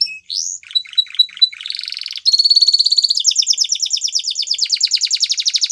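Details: Spanish Timbrado canary singing: a few short sweeping notes, then clipped repeated notes and a buzzy rolled trill, moving into a long run of fast, evenly repeated descending notes, about ten per second.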